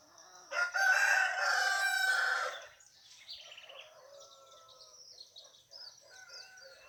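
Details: Roosters crowing at dawn as a morning wake-up in the sertão of Ceará, northeastern Brazil; one loud, harmonic-rich crow lasts about two seconds, then fainter distant crows and small bird chirps follow.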